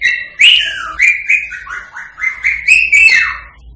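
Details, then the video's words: Indian rose-ringed parakeet whistling, meant to prompt singing and mating: a sequence of loud, clear whistled notes, some flat, some dipping and rising, each lasting under half a second. "تعليم ببغاء الدرة التغريد والغناء والتصفير والطقطقة للتحفيز على التغريد والتزاوج الدرة الهندي"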